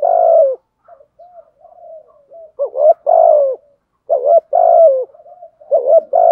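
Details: Decoy spotted dove in thúc gù style: a long falling coo, then soft murmured notes, followed by several emphatic paired coos that swell and drop in pitch, in a quiet setting.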